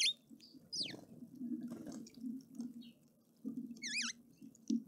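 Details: Red-faced mousebird at a feeder in Pretoria, South Africa: thin, high whistles sweep steeply down, then a quick run of wavering, wobbling notes, over a low rumbling background.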